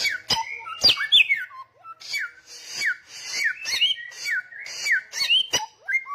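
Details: Samyong singing loudly and persistently, a dense string of bright whistled downslurs and sharp high clicks repeating with little pause.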